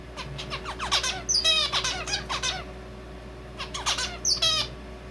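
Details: Pet male zebra finch singing its own song, which borrows red avadavat calls: dense bursts of nasal, harmonic-rich buzzy notes mixed with quick rising peeps, two phrases in about five seconds, steady indoor hum behind.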